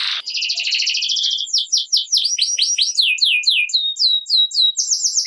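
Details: Canary in gacor ngerek song, aimed at getting quiet canaries singing: an opening dense high trill followed by a long series of quick downward-slurred whistles and sharp chirps.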